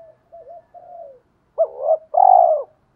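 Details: Provoking fight call of decoy spotted doves, male and female: soft, low wavering murmurs first, then a sharp double note and a long, loud, mellow falling coo.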